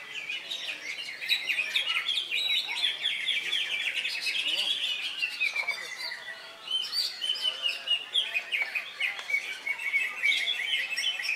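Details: Greater green leafbird, a caged male fresh from molt, singing at a bird-song contest in Indonesia on Saturday, 3 September; dense, rapid chattering and whistled phrases pour out continuously amid other contest birds, with faint voices behind.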